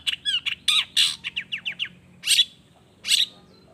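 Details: Long-tailed shrike in song, played to draw replies from other shrikes: a quick series of downslurred chirps and harsh notes for two seconds, then two separate loud buzzy squawks after short pauses.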